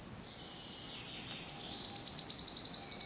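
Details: A wood warbler in Brussels, Belgium, in June 2011 gives one thin high note, then a run of sharp ticking notes that speed up into a dry, shivering trill. The background is quiet.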